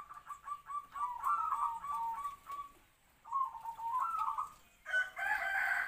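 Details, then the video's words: Local decoy zebra dove singing its medium-pitched kwor-kwor song to draw wild doves; two stuttering, trilled coo phrases, then a harsher, broader rasping sound at the end. "perkutut pikat suara sedang kwor2"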